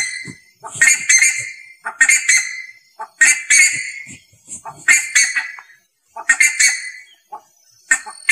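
An ibis gives harsh, nasal, honking calls in short clustered bursts about every one to two seconds, with brief quiet gaps between them.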